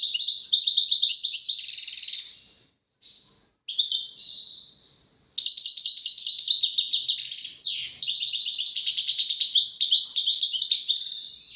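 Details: Goldfinch, European, delivering tawawati and tbatbati song phrases, said to be a duet: long stretches of quick liquid twittering with buzzy rolls and a sweeping slurred note, briefly interrupted by short gaps.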